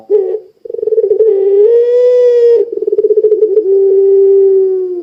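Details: Puter pelung dove calling, used to prompt other doves to call: a long, deep, drawn-out coo broken by throaty rolling trills, steady in pitch, then held again in an even tone.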